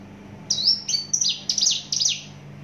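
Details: Short, energetic phrase from a Javan bush lark of Java, a run of high, strident whistles and quick downward-slurred notes in rapid succession, over a low humming background.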